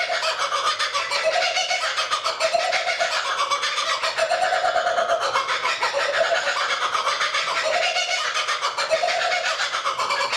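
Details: Kookaburra laughter near Tuggerah Lake, Australia, where a lone Kookaburra sat quietly perched in a lakeside tree: a loud, raucous laughing chorus of cackling, rising and falling notes, swelling in waves about every two seconds without a break.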